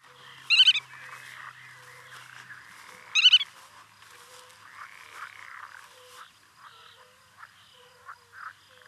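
Black-tailed Godwit giving two loud, harsh, nasal calls about three seconds apart, with softer chattering calls and faint background birds throughout.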